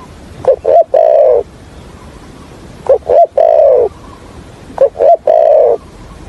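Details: Decoy spotted dove kept for trapping, singing the stammering 'thổ' coo: three phrases, each two short sharp notes followed by a long wavering coo, repeated about every two seconds.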